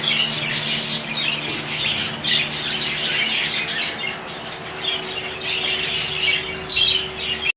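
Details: High-pitched chattering from a rainbow budgie colony: busy overlapping chirps and short squawks throughout, with a low hum beneath and a sudden louder burst near the end.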